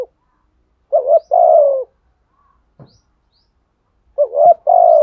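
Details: Spotted dove cooing in 'thổ sấm' style to make wild birds answer; two low double-note phrases, short wavering note then a drawn-out coo, with a faint click between them.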